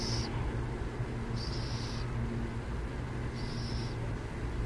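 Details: Three scratchy, hissing rasps from burrowing owls near San Jose, the middle one longest, set against a persistent low hum of traffic.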